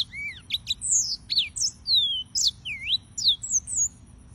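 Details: Serinus mozambicus, the yellow-fronted canary, sings a varied phrase of sweet whistles: a low arched note, then high slurred sweeps, rising and falling glides and a dipping whistle, delivered almost without pause.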